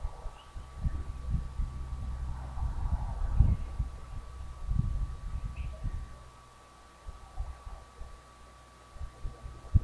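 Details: Low muffled voices and rumbling handling noise over a steady faint hum, without any animal call.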